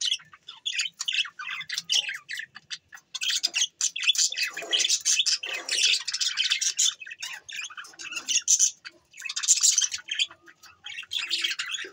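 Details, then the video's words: A long stretch of standup budgerigar twittering, recorded December 22, 2023: fast, scratchy, high chirps and chattering warbles in irregular bursts, rising and falling in loudness with a few brief pauses. "Bueatiful Sounds Bueatiful Budgies birds"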